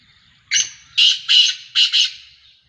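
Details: Black francolin, a kept bird described as a Sheedi cross with a nasal voice, giving a series of five harsh, rasping nasal notes in quick succession.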